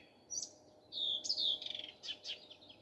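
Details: Brief morning phrase from a nightingale: a high opening note, a long buzzy whistle, a rattle-like pulse train and two closing chirps.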